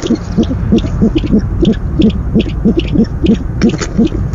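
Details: Owl at a nest camera on the night of February 17, 2015, during the first food delivery of the night; a rapid series of low, soft hoots, about three per second, with faint higher clicks above.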